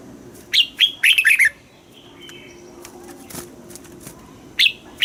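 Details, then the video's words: Red-whiskered bulbul singing in a cage, southern master style, played to stir caged birds and teach chicks; one quick warbled phrase of several whistled notes, a quiet gap, then a single bright note. "เสียงนกกรงหัวจุก สำหรับต่อ หรือ เปิดให้นกคึก เสียงเพราะๆ"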